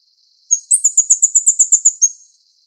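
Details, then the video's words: Plain flowerpecker (Dicaeum concolor uchidai) in Taiwan while feeding chicks: a very high, thin series of about twelve quick ticking notes, evenly spaced and slightly buzzy, lasting around one and a half seconds, with a faint high hiss after. "綠啄花-育雛/Plain Flowerpecker-Feeding chicks"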